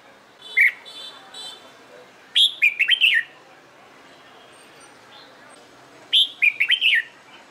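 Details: Red-whiskered bulbul practising competition song: a single chirp then two bursts of rapid, bubbling whistled notes separated by a few seconds of quiet.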